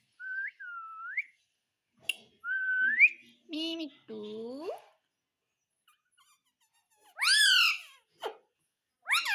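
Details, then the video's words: Kept parrot mimicking speech: two short rising whistles, then lower nasal word-like sounds, followed by a loud squawky downward-sweeping syllable and a final sharp call, with quiet pauses between. "Talking parrot"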